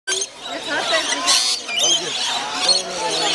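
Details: A wild flock of rainbow lorikeets being hand-fed at Currumbin Wildlife Sanctuary screech and chatter without pause, a dense tangle of shrill, harsh calls from many birds, with people's voices mixed in.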